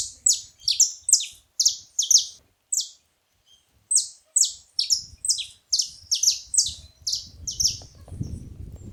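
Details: Saffron finch at a feeding spot giving repeated bright, high, downward-sweeping chips in loose clusters, a short pause midway, then a faster run; faint low noise near the end.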